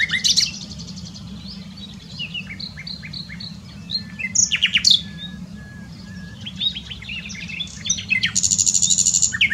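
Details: Nightingale singing at Dohr in the Eifel, Germany: varied separate phrases of clear whistles, sharp upslurred notes and chips with short pauses, ending in a fast high trill, over a steady low rumble.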